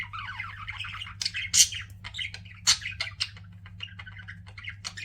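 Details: Pet budgerigars chirping: a busy warbling chatter of rapid, mid-high notes, broken by louder sharp squawky chirps around the middle and a run of short scattered tweets toward the end.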